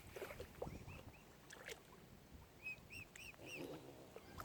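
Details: Baby mute swans, furry cygnets at Oxford Island Nature Reserve on Lough Neagh, Ireland, make clear high whistled peeps. The peeps arch up and down, are spaced about half a second apart, and rise over soft water lapping and faint rumble.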